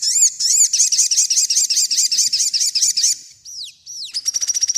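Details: Sogon singing, used as master song for training birds: a run of quick high arched notes repeated rapidly for three seconds, two downward swoops, then a fast buzzy trill.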